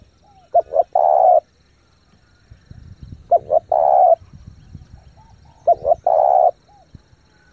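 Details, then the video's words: Spotted dove used as a lure bird, cooing rapidly to stir up decoys: three phrases about 2.5 seconds apart, each a pair of short hoots leading into a sustained coo, with faint low rumbling behind. "chim cu gáy thúc gù tốc độ căng lửa kích mồi tập bổi cực mạnh"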